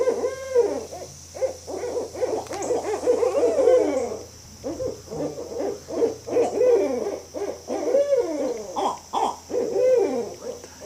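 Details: Barred owl: loud, overlapping hoots and wild arching, cackling notes that rise and fall, packed densely through the whole stretch with only brief pauses. A steady low hum runs underneath.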